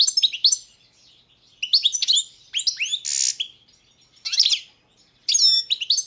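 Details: European goldfinch of the subspecies balcanica singing in short bursts of bright twittering and tinkling notes, with quick upslurred whistles and a buzzy middle phrase, broken by brief pauses.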